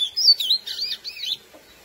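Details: Lesser seed finch (curió, Sporophila angolensis) singing its classic song meant to excite females: a short run of high, looping whistled notes that wave up and down, then fall quiet.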